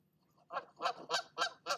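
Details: Nesting female goose on a live nest camera, scolding another goose that visited her nest: five loud, harsh honks in quick succession, each rough and nasal, rising in intensity toward the middle.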